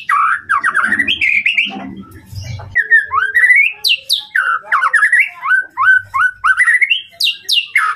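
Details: White-rumped shama (murai batu) song used to provoke a rival, a lively rapid-fire 'tembakan' style: varied clear whistled phrases, rising and falling, delivered in quick bursts with brief pauses and some sharp high notes.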